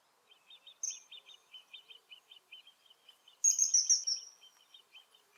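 A kingfisher gives a few shrill, high piping whistles. Under them runs a steady series of quicker, lower chipping notes, about three per second.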